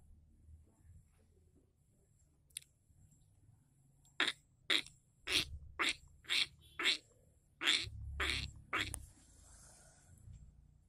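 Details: A caged lovebird set out to sunbathe gives a run of about eight short, harsh, broadband calls spaced roughly half a second apart after a single click, with low rumbling in the background.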